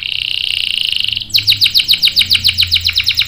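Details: Canary song meant to lure other canaries into singing: a steady rapid buzzing trill, then a regular series of sharp swept chirps about four per second.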